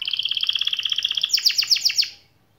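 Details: Canary song meant to prompt silent, lazy canaries to start singing and rolling: a steady run of rapid high trills, then a brighter, harsher burst of descending notes before falling quiet.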